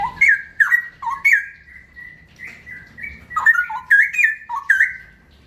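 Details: Straw-headed bulbul delivering ropel-style song: a continuous run of bubbling, liquid whistles that alternate between a lower and a higher note, with quick slurred swoops repeated roughly every half second.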